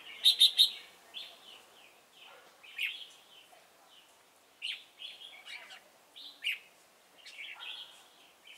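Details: Red-whiskered bulbul used as a decoy for trapping at Chùa Hương, 28 November 2017: a quick triple of sharp high notes, then scattered short slurred whistled phrases with pauses between them.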